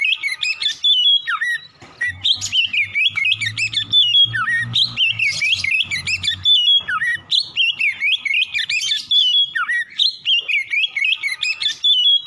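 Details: Long, rich morning song from an Oriental magpie-robin, meant to stimulate singing: rapid, unbroken sequences of shrill whistles, trills and downward slurs repeating in varied phrases, with a soft low rumble in the middle.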